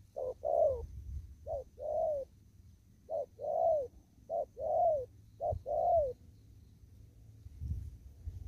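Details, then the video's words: Wild spotted dove out in an upland field in Kon Tum, cooing in the rapid 'thúc gù' style: low hollow two-part phrases, a short note then a longer arched one, repeated about once a second, then quiet with low rumble. "Cu Gáy. Đồng thúc gù. ( chim còn ngoài rẫy ae xem vui )"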